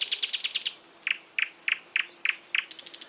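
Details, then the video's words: Fast trill of about seven ringing high notes, then six crisp, evenly spaced chirps repeated roughly every third of a second. "голоса птиц"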